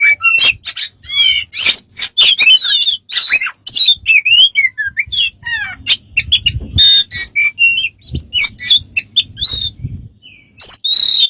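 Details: Bird producing a long, fast medley of strange sounds: sharp clicks, squeaky chirps, whistled slurs and squawks in quick succession, with a faint low rumble in the background.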